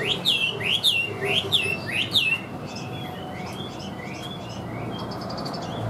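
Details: Caged Chinese hwamei, described as an even, strong singer, opens with loud upward-sweeping whistles repeated roughly every half second, then continues with softer, quicker notes under a background hum.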